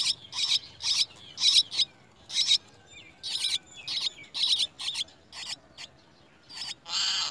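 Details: Chestnut-tailed starling chicks begging while a parent feeds them worms at the nest; loud, harsh, high-pitched rasping notes repeat in quick uneven series, ending in a longer noisy burst.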